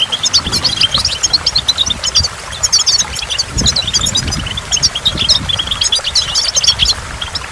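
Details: Goldfinch by a waterfall singing a lively stream of quick, high chirps and trills, almost continuous; low dull thumps and rumbles come through around the middle, beneath a steady wash of water sound.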